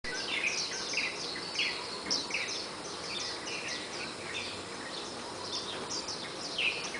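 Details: Warbling white-eye family, nesting twice in a Malabar chestnut tree outside a bedroom window, singing together at first light between 04:45 and 04:50. Bright, crisp, high chirps and short twittering phrases overlap continuously over a steady background hiss.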